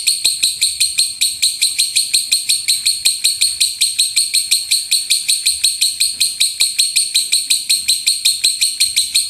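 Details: Lovebird in the loud rolling shot-style song, used as a master to make other birds sing: high, sharp chirps in a fast, regular series of about three per second.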